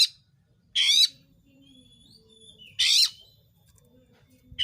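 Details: Oriental magpie-robin singing vigorously, a lure for provoking rival magpie-robins into song; rough, scratchy bursts repeated about every two seconds, separated by a thin sliding whistle and quiet low hum.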